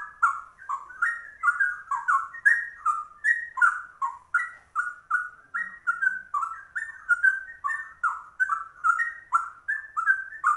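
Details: Ten seconds of nonstop ropel singing by a rare yellow-vented bulbul (trucuk) copying the straw-headed bulbul manner: bubbling, varied whistled notes in quick succession, swinging between higher and lower pitches without pause.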